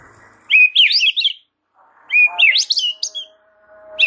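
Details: White-rumped shama, called murai batu, giving masteran song: two loud phrases of tumbling, sweeping whistles that rise into high chirps, separated by a short pause, with a faint steady low hum.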